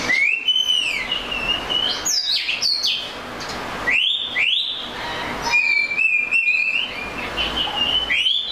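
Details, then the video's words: Clear whistled song of the Oriental magpie-robin, long sustained and gently wavering whistles broken by quick upslurred notes and sharp chips, repeated in a varied sequence. "The Melodic Tunes of the Oriental Magpie Robin Bird"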